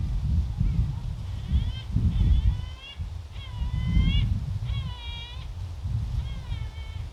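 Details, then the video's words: Gull cries beside the sea at Oepo Port, Ganghwa Island, Korea, in wind: five drawn-out, slightly rising, harmonic wails, roughly one per second and a half, with gusty low wind rumbling underneath throughout. "갈매기 울음소리"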